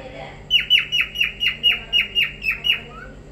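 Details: A cockatiel, singing while playing, gives a quick series of sharp, downslurred whistled notes, about four each second.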